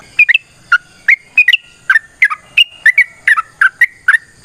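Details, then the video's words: Sooty-headed bulbul in spirited fighting-style song for luring and training caged bulbuls: crisp whistled notes, often doubled, some sliding down and some climbing, spaced unevenly about every third of a second. "TRUCUKAN GACOR TARUNG ROPEL PANJANG"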